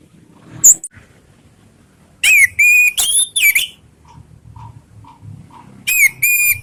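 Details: Song of an orange-headed thrush, played to provoke others to respond: clear, ringing whistled notes with a buzzy edge, given in short bursts, followed by a soft series of evenly spaced low pips.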